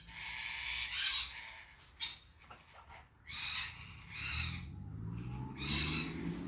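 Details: African grey parrot producing rough, hissing screeches, five noisy bursts spread over about six seconds with quieter clicks and murmurs between them and a low background hum.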